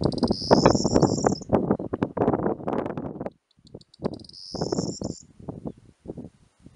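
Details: Corn bunting, male singing perched on fences, posts or wires in spring: two brief high jangling, glassy trills, each led by quick ticks, over loud rustling wind noise and low rumbles.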